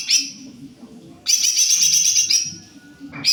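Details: Greater green leafbird singing in full voice, a brief note then a long burst of quick, bright chattering twitters, repeated after a pause, over low background murmur.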